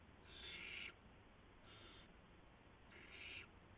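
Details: Owls in a nest at night, March 19, 2016, as the parents deliver prey to the owlets; three breathy, scratchy hisses, the first loudest and the middle one faint, spread over a few seconds above quiet hum.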